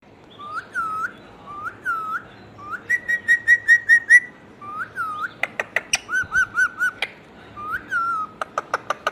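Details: Pet Indian ringneck parakeet whistling: rising-then-falling whistled phrases repeated about every second, a burst of rapid pulsed chirps, then sharp clicks mixed with more whistles.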